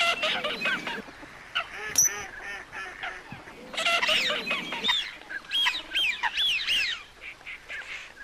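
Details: Coot giving a busy series of nasal, honking notes with arched harmonics, overlapping calls from several birds, some higher squeaky notes toward the end.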